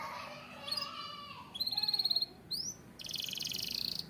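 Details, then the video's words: White canary singing a mix of buzzy trills, a rising slurred whistle and a dense rapid rattle, all high-pitched, with a quieter warbling start. "White Canary Sound Effect"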